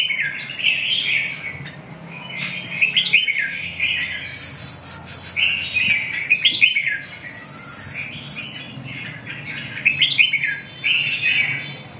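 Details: Red-whiskered bulbul repeating lively warbled phrases of slurred, rolling notes throughout, interrupted twice by loud scraping, rubbing noises; low hum beneath.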